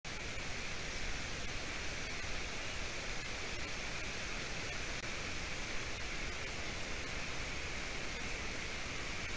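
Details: Constant broadband hiss like rushing water or static throughout; no animal voice.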